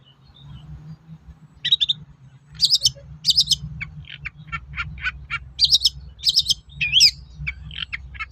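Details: Long-tailed shrike song played as a lure for other shrikes: scattered harsh chattering notes and short buzzy bursts at irregular intervals, with a faint low hum beneath.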